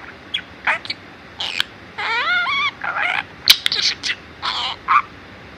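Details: Four-year-old male pet budgerigar in Mie Prefecture, Japan, that talks in Kansai dialect after copying its owners' speech. It produces high, raspy, chattering syllables in short bursts, with one wavering, harmonic phrase in the middle.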